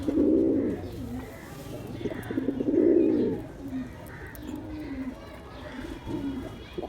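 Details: Male pigeon with two loud, low, throbbing coos close together, followed by softer short coo notes trailing off.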